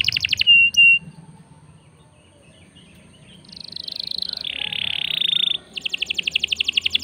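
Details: Canary in full song, used as a lure to set other birds singing: a rapid buzzy trill, a brief whistle, then quieter background, a long buzzy rolled note and another fast pulsed trill.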